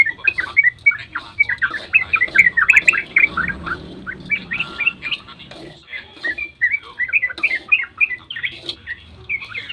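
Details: Sooty-headed bulbul dawn 'ropel' song played to stir other bulbuls to answer; continuous fast chattering of many slurred whistled notes, dense and overlapping, over a faint background murmur.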